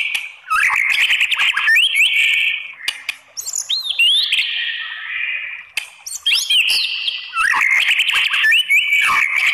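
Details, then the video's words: Song of a white-rumped shama used to goad other shamas into replying, mixing sharp upslurred whistles, buzzy trilled phrases and high sweeping notes in bursts separated by short quieter gaps. "MURAI BATU APAPUN Jadi NYAUT NGELAWAN dan BONGKAR ISIAN ¦ PANCINGAN MURAI"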